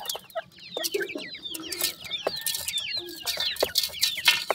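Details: Grey francolin chicks, newly hatched, calling together: rapid, shrill, curving cheeps piled over one another, plus scattered clicks and short soft lower notes.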